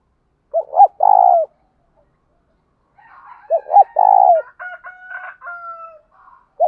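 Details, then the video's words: Male and female spotted doves calling to lure and provoke wild birds to coo. Two phrases of short hooked notes and a long falling coo. Between and after them come thin whistled tones and chattering from another bird. "tieng chim cu gáy thúc đấu,` tiếng chim cu cườm gáy thúc. bổi nghe gáy theo"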